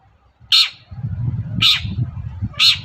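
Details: Long-tailed shrike giving a morning lure song to draw replies from other shrikes: three grating, screechy notes about a second apart over a steady low hum.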